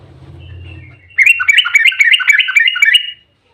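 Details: Yellow-vented bulbul singing an emotional fighting song in the 'ropel' style to lure other bulbuls: a low hum fades out, then a two-second burst of quick, gurgling, down-slurred notes.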